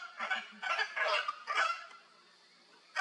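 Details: Hyacinth Macaws at play in the wild in Brazil give three or four harsh, grating squawks in quick succession, then fall quiet for about a second.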